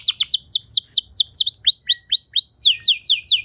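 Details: Canary song meant as a training model for other canaries: a steady series of looping, downward-curving whistled notes repeated roughly twice a second, then a quicker trilled ending.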